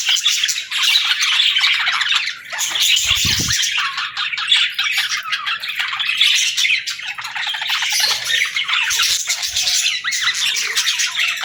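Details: Squawking and chirping pet parrot greeting the morning, a dense high chatter with one brief dip, plus a low thump early on.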